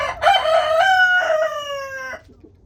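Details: Rooster among a homestead flock enjoying a 20-degree warmup to 37 degrees, giving a loud rich crow lasting about two seconds, a harsh onset then a long falling held note, ending abruptly.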